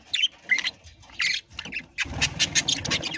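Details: Parrot giving a run of harsh, loud squawks: a few separate bursts in the first second and a half, then a dense string of rapid, raspy calls from the two-second mark, with faint background rustling.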